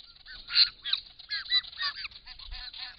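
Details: Wild Australian white-winged choughs recorded by camera trap at a pond while drinking and displaying; a busy chorus of harsh, nasal, descending and arched calls overlapping rapidly, several birds calling at once.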